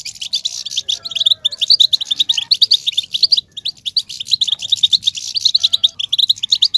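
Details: European goldfinch song to excite males: rapid, sparkling twitters in long continuous runs with a brief pause partway, bright and busy.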